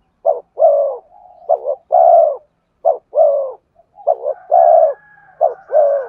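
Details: Spotted dove song used to lure wild birds, a loud coo phrase of two short notes and a long falling note, repeated about every one and a half seconds, with faint thin whistles between phrases.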